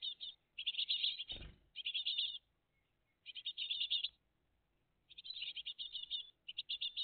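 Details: Great tit family at the nest on the morning of 20 June 2023, live: loud, high chattering chirp bursts of about one second, repeated after pauses, with one dull thump early on.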